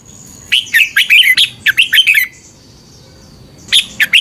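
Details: Red-whiskered bulbul song, a recording played to train caged birds or excite them, in Thailand: lively phrases of slurred whistled notes near mid-high pitch, two bursts of about four to six quick notes, with a faint steady high tone behind.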